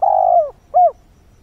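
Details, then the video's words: Spotted dove kept as a decoy, cooing at dawn to draw in wild birds: a long, steady, low coo that slides down at the end, then one short rounded coo, in a quiet background. "Chim cu mồi // Tinh sương gáy gọi, kích thúc chim hoang dã"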